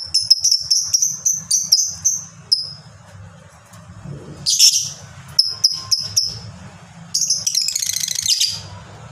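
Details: Lovebird used as a training recording to get other lovebirds to join in, fighter type with long ngekek chatter: fast runs of sharp high repeated notes, a rasping burst midway, then a dense shrill trill, over faint low hum.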